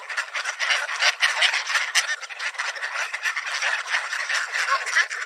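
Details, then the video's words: A park swarm of Mallards too many to count, in a feeding frenzy over scattered bird seed with a couple of Canada Geese pushing in, makes a dense, constant chatter of overlapping quacks and rattling nasal calls. "Feeding a Swarm of Mallards at The Park - Bird Sounds and Calls"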